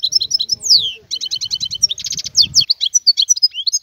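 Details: Wild European goldfinch pouring out a continuous, lively song of liquid twitters, descending whistled slides and quick trills, with soft low rustling beneath the first part.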